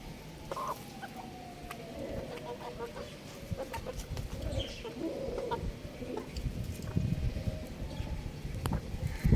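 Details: A young rooster on a rooftop makes a long, slowly falling tonal note, then shorter nasal chirps midway, while low rumbling noise grows louder toward the end.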